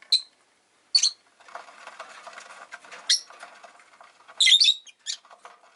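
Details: Five rosy-faced lovebirds caged beside a window in winter give loud, piercing high chirps, spaced about a second apart, ending in a quick cluster of squeaky notes, with faint rustling and distant street noise between calls.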